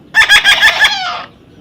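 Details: Baby parrot handled by a person, letting out a grating chatter of five or six fast pulses that trails into a longer, fading rasp, while a human voice is heard around it.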